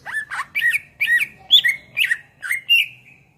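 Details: Greater green leafbird, cucak ijo, singing: harsh, squawky slurred notes in paired bursts roughly every half second, each a rough chirp sliding down, ending on a thin fading whistle.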